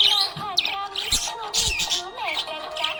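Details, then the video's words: A happy budgie chatters with quick, buzzy sweeping chirps and warbles that rise and fall in pitch, with short pauses between bursts and soft background music underneath. "Happy budgie chirping sound"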